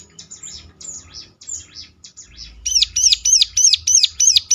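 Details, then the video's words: Ciblek lure meant to set other ciblek answering: soft, high twittering gives way to a quick, regular series of loud, arched piercing notes over a brief low rumble. "ciblek lain ngecLak ikut nyaut || mesti Nyautnya."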